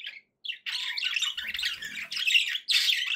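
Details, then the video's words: Pet budgie making happy sounds: two short chirps, then a sustained raspy, buzzy warble with squeaky notes running almost unbroken to the end. "happy budgie sounds"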